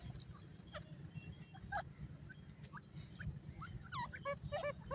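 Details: Francolin chicks calling in a forest: sparse faint peeps at first, then a lively run of rapid, repeated high chirps curving downward toward the end, over a constant low hum.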